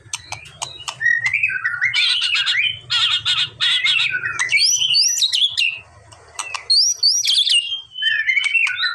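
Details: A white-rumped shama sings to provoke another bird into reply. Harsh, buzzy bursts and scratchy chatter alternate with sharp upslurred whistles, over a low background hum.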